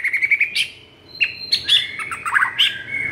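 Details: White-rumped shama singing in an agitated, vigorous way, used to prompt silent shamas to sing: a quick run of bright whistled notes, then varied slurred whistles and sharp chips jumping between high and middle pitches.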